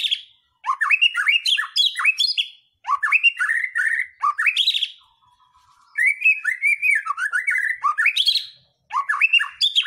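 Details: White-rumped shama singing to provoke other birds into song; loud phrases of swooping whistles and rapid chatter in bursts of about two seconds, separated by brief pauses and one quiet stretch.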